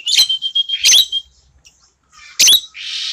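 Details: Tame, frequently singing Asian glossy starling, a red-eyed black bird kept as a master song bird, with a clear, shrill voice: sharp squawking bursts around a long, level, high whistle, a pause, then another harsh burst and rasping hiss.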